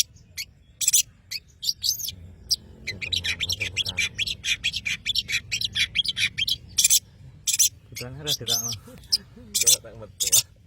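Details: Madura long-tailed shrike singing busily, a dense stream of fast chattering, scratchy notes and thin whistles, with a pause midway before louder harsh rasps and a brief lower warble.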